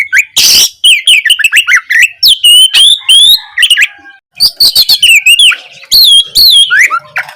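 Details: Oriental magpie-robin singing vigorously as a tutor for a bird that has gone quiet; begins with a harsh burst, then fast chains of rising whistles and chirps with a short pause midway.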